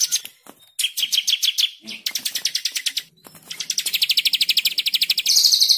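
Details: White-rumped shama 'tembakan' training song: several bursts of rapid high chipping notes, each at a different pitch and split by short pauses, ending in a faster, higher rattle.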